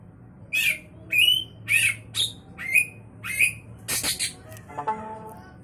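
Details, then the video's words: Caged white-rumped shama with championship prospects delivering a rapid run of short squawky, buzzy notes about twice a second, ending in harsh noisy bursts and a low harmonic sound. "Burung kacer prospek, bakal juara"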